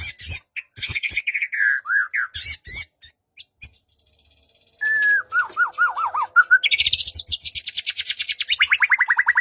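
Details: White-rumped shama song used to provoke a quiet bird, morning or afternoon: dipping whistled phrases and harsh notes, a short pause, a string of quick looping whistles, then a long rapid trill sweeping up and down.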